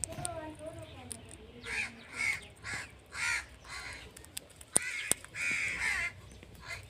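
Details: Indian ringneck parrot starting with soft, wavering lower whistles, then breaking into a run of harsh, rasping screeches, some closely repeated, with occasional sharp clicks.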